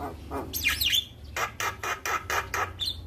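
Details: Javan myna singing actively, recorded as training material to make young mynas respond quickly: a harsh downslurred squeal, then a run of six evenly spaced broad raspy notes and a short high whistle at the end.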